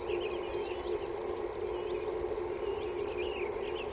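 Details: Secretive common grasshopper warbler delivering its characteristic reeling song, a high, finely pulsed trill like a distant mowing machine, steady throughout, with a few faint whistles of other birds and a low constant hum.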